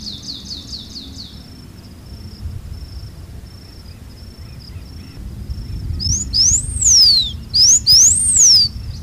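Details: Blue Finch song: after a faint high trill and a quiet stretch, two thin, high whistled phrases, each sliding up and then arching down, given in quick succession over a low background rumble.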